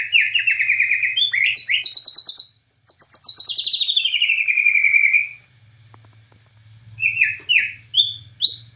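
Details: Bornean white-rumped shama singing actively in the 'nembak cililin' style, firing off cililin-like phrases: loud rapid buzzy trills, a long descending rattled sweep, then brief pauses and short sharp rising notes, over a faint low hum.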